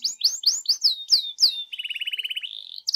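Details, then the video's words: Canary singing as a lure for another canary: six or so slurred whistled notes, then a fast, even trill rising slightly in pitch, ending with quick high notes. "GAK PAKEK LAMA PANCING DENGAN INI KENARIMU LANGSUNG NYAUT GACOR"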